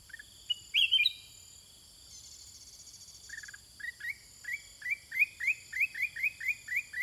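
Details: Caged sooty-headed bulbul in a long singing exchange with wild birds: a loud clipped phrase, a brief buzzy trill, then a quickening series of short rising whistled notes repeated several times a second, with a steady high ringing behind.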